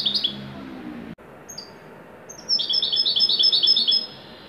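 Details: Moroccan goldfinch singing in the Widani style: a few high sharp notes, a pause, then a fast bright rolling trill of repeated twittering syllables lasting about two seconds.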